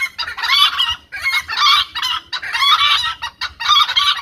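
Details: Hen calling loudly: harsh, ringing cackle notes in tight bursts, about one burst per second, separated by brief pauses.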